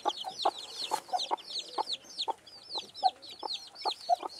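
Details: Silver Phoenix hen with her chicks, recorded 3/5/2013: short low clucks repeated about every half second, mixed with many high, thin, downward-curving peeps from the chicks throughout.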